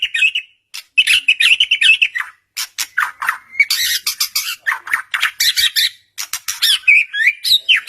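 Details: White-rumped shama singing to provoke an answer from another shama: a busy, harsh chatter of squawky, buzzy notes mixed with short whistled slurs, barely pausing.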